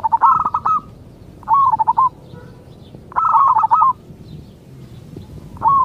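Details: Local zebra dove giving its rolling song to coax other zebra doves into answering: four short phrases of fast stuttering coos with curled endings, repeated roughly every one and a half seconds.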